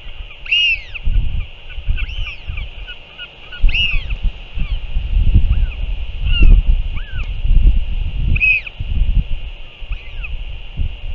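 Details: Northern royal albatross, recorded 6 April 2024, back and feeding, gives about seven short, nasal, arching cries, one every second or two, over steady low wind rumble.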